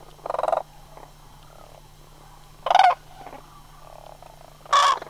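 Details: Sandhill cranes migrating from Homer in September 2009. Three loud, rattling, trumpet-like calls about two seconds apart, with softer purring calls from other cranes between them.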